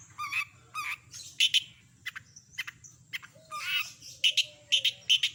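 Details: Energetic long-tailed shrike singing imitations: paired buzzy chirps, then doubled clipped high notes repeated several times, with brief soft whistles and a faint low hum in the background.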